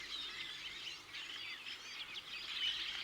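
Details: Redwings, winter visitors and passage migrants to Britain from Iceland and northern Scandinavia, give thin seeping contact calls. It is a dense, overlapping chatter of thin, high squeaks and short seeps, several per second, with a faint outdoor hiss beneath.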